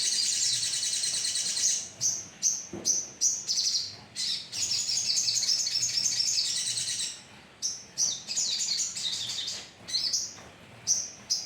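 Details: Sogon bird colony recorded as a lure: bright, high chirps in rapid clusters, alternating between dense chattering stretches and separate short bursts about two or three per second.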